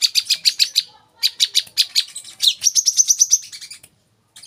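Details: Olive-backed sunbird singing, a recording meant as masteran to make young cage birds sing more: rapid series of high, sharp notes in two bursts, then a thin, steady, higher trill running about a second.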